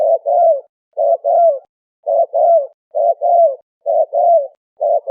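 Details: Malay turtle dove cooing, used to lure wild doves: low, mellow paired coos, a short note then a longer falling one, repeated about once a second in a steady series with no other sounds.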